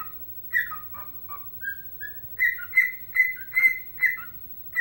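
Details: Pet bird, a dancing Chicago Blackhawks fan, whistling its rendition of the tune Chelsea Dagger: clear whistled notes that step between lower and higher pitches, about two or three per second, with a quiet room hum beneath.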